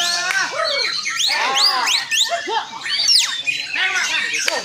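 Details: White-rumped shama, locally murai batu, singing a dense, varied song of rich whistles, sweeping slurred notes and harsh chatters with no pauses between phrases.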